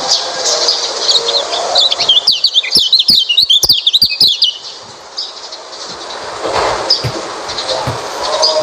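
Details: White-eye singing, used to draw song from a quiet white-eye. Brisk, high twittering with sliding chirps and clicks for about three seconds, then fading into a soft, noisy background.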